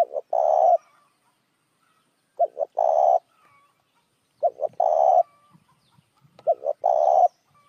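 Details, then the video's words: Spotted dove lure call for attracting other doves, given four times at roughly two-second intervals. Each phrase has two quick low notes followed by a sustained hoarse coo, over a quiet background. "tiếng chim cu gáy kích mồi"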